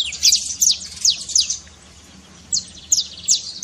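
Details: Saffron finch (canário-da-terra) singing a trincado, a trill used to stir a quiet canary into song: a burst of sharp, high, downslurred chirps, then a pause, then a sparser second run.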